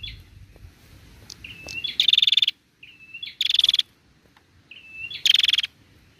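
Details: Female bar-winged prinia's call, used to provoke male song: each phrase starts with a soft thin whistle and ends in a strong, fast, rattling trill. Three phrases are repeated roughly every one and a half seconds.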